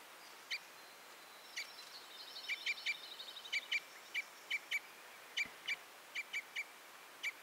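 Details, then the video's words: Red crossbill giving spaced, sharp 'kip' notes, with a soft rippling warble around the middle, then single and paired calls evenly spread to the end. "The sound of the Red/Common Crossbill"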